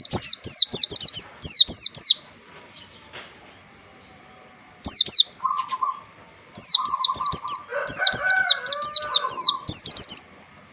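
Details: Oriental white-eye song used for training young birds to sing in the wild style. Quick high twittered phrases come in bursts with a silent gap, then return mixed with short buzzy notes and lower warbles.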